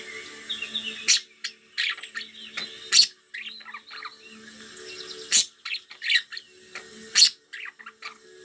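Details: Pet budgerigars on a summer day in July warble and chirp in short bursts, broken by several loud sharp clicks, over a faint low hum.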